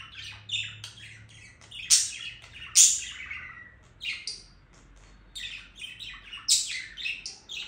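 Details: Budgerigar song: an irregular stream of quick chirps, clicks and buzzy twitters, broken by several louder shrill squeaks and short pauses. A faint low hum sits beneath the bird early on.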